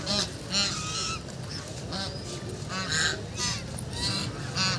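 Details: Domestic ducks playing on Bhimtal lake, giving repeated nasal honking calls with rich harmonics, several birds calling irregularly over a steady low rumble of background noise.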